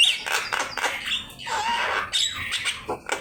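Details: Javan myna song used to teach captive birds: loud, hoarse squawks and grating chatter, with a lower drawn-out note in the middle and a high whistle near the end.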